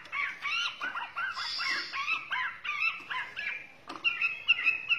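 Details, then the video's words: White-rumped shama from Borneo in a busy medley of curved whistled notes and chattering phrases, a harsh high buzz early, and crisp repeated notes toward the end. "murai borneo"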